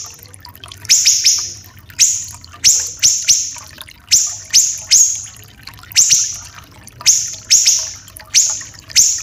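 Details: Tutor recording of Common iora song with a water-trickle effect, made for training caged birds. Very high, rasping notes open with a quick rising sweep. They come in clusters of two or three, about fifteen over nine seconds.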